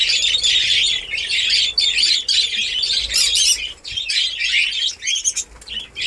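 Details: Budgerigars in a breeding colony in Darbhanga, Bihar: a steady, loud wall of high twittering and chirping from many birds, thinning into separate squeaky bursts in the last seconds.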